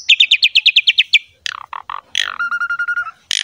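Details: Javan pied myna song for training other mynas to sing: a quick run of about ten sharp chips, a few lower slurred notes, then a steady level whistle with buzzy overtones and a final harsh burst.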